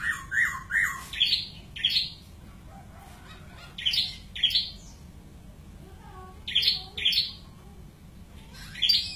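A white-crested laughingthrush gives loud, harsh, rising squawks in bursts of two to four notes, with short pauses between bursts, over a faint low hum.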